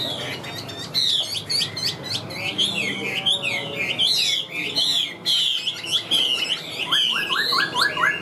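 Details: Chinese hwamei in a cage, singing nonstop: a fast, dense stream of high whistled notes and trills, rapid zigzag phrases, and a run of quick repeated falling notes near the end.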